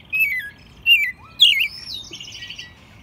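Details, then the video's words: Pet American robin raised from a nestling, Mexico City, spring 2020; three short downslurred whistled phrases followed by a thin buzzy trill. "Mirlo Primavera, el pájaro melómano cantando en CDMX"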